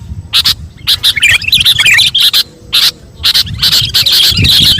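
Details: Sooty-headed bulbul giving energetic song while being taught magpie-robin phrases: sharp high chirps in quick groups, a warbling run of notes, short silences between bursts, low background hum.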